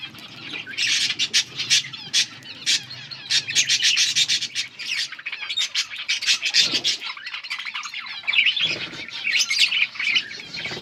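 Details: Group of budgies chirping, dated August 15, 2024: rapid, dense bursts of high scratchy chirps, squawks and warbles, nearly nonstop, with short quieter gaps and a faint low hum early on.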